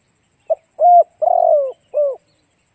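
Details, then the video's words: Decoy spotted dove song meant to attract other doves: a single phrase of a brief soft note, a level hollow coo, a long, slightly burry coo sliding down, and a final falling coo. Clean background. "Cu gáy kích mồi tập bổi hiệu quả nhanh"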